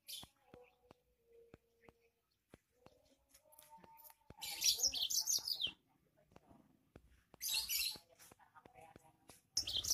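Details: Yellow-fronted canary singing with a fierce voice: short bursts of rapid, high, jumbled twittering at about five and eight seconds and again at the end, separated by quiet gaps full of sharp clicks and faint tonal whistles.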